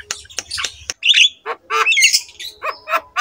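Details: Black-winged myna master song used to prompt reluctant mynas into singing, a varied run of sharp chirps, scratchy squawks and brief whistled notes, loud and closely packed.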